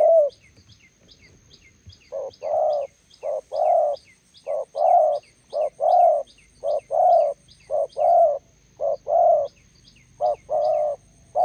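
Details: Roadside in Gia Lai, Vietnam, a decoy spotted dove faces a wild bird: steady run of low hoarse coo notes, paired short and drawn-out, over eleven seconds, faint high twittering from other birds throughout.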